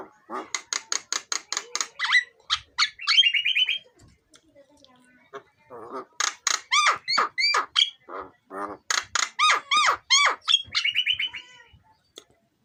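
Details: Javan myna song used as a lure for birds: long bursts of rapid, sharp, repeated chattering notes, several to a second, broken by short buzzy trills and a brief quiet spell of softer warbling.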